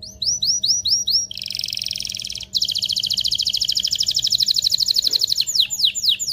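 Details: Canary singing vigorously to arouse males and females for mating; a handful of swooping rolled notes leads into buzzy, then very fast rolling trills, ending with swooping notes again, over a soft steady hum.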